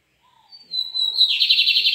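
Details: Lined seedeater, a white-glove bigodinho, singing in a duel against another bird; a thin whistled note slides down, then a loud fast buzzy trill of repeated notes runs to the end.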